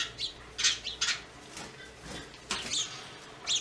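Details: Yellow-bellied wattle-eye uttering a few scratchy, squawk-like calls in small clusters, separated by brief pauses, with a soft background hum.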